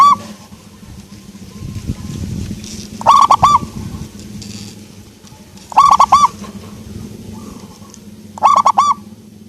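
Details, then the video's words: Local zebra dove (perkutut lokal) with a soft voice repeating compact phrases of about four hooked coos roughly every two and a half seconds, with low rustling and humming noise underneath. "perkutut lokal suara empuk"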